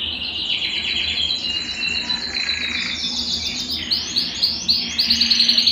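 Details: Belgian canary song meant to warm up a cold canary: fast rolling high trills and rapid repeated chirps, about three to four notes a second, growing louder and choppier toward the end.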